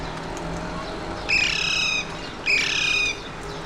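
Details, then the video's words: Alexandrine parakeet, also called mountain or pahadi parrot, watched from a window in Mumbai, India, on 30 April 2023; two loud, harsh, buzzy squawks about a second apart, each held roughly three-quarters of a second, over faint background hum. "Alexandrine Parakeets - Mountain / Pahadi Parrots of Mumbai, India"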